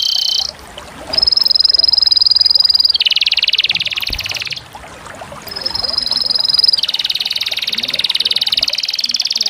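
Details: Canary delivering long rolling trills: a high whistled tone sliding into a lower dense buzzing roll, a brief quieter pause, then the same pattern repeated.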